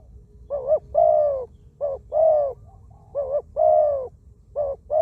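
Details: Zebra dove used as a decoy for ground trapping, described as a wild bird with a small voice and many coos; soft rolling coo phrases, a brief dipping note leading into a longer arched coo, repeated three times.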